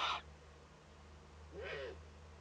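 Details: Eurasian eagle-owl chick at a nest webcam in northern Rhineland-Palatinate, Germany, on 15 May 2013, at first contact with another owl. A short raspy hiss opens, then a longer breathy rasp about 1.5 seconds later, with low background hum.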